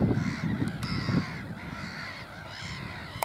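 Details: Black-headed gulls at Burwell Fen, Cambridgeshire, UK, on 15 April 2015 give harsh, rasping, crow-like calls that overlap in a continuous chorus, with low wind rumble underneath.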